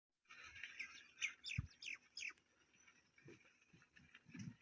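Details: Indian ringneck parrot chirping: short bright chirps and squawky notes clustered in the first two and a half seconds, followed by quieter scattered sounds and low thumps.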